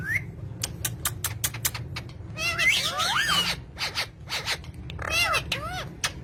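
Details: A pet green parrot gives a short whistle, then a run of clicks and harsh, falling squawks rich in overtones in two bursts, with low room rumble underneath.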